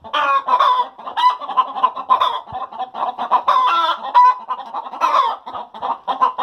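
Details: Hens cackling after laying eggs: dense rapid clucks overlapping from several birds, with occasional drawn-out higher squawks standing out above the steady chatter.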